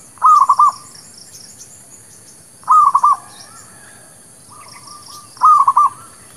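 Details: Lure song of a zebra dove, merbuk kampung or perkutut lokal, for trapping birds: three clustered cooing phrases about two and a half seconds apart, with faint high chirps from other birds.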